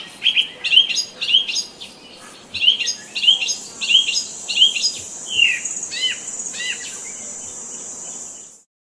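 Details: Park bird in a nature-park ambience, repeating short bright chirps about every half second, with a steady high insect-like hiss joining midway before the sound ends in silence.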